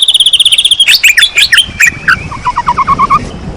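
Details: Lure song of a white-rumped shama meant to provoke silent shamas: a fast, steady high trill, then sharp whistled flourishes falling into a string of lower, even chopped notes.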